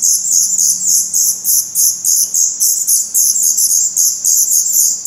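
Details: Black Redstart nestlings in a nest in Portugal on 16 May 2020, eyes open, give a steady chorus of very high, hissy begging notes, about three or four bursts a second, with little else heard.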